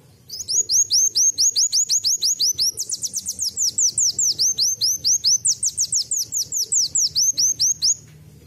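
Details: Sustained canary-like song by a brown-throated sunbird: eight seconds of rapid, high, thin notes, about two to three per second grouped into sweeping slurred strings, changing pattern midway, with faint low background noise.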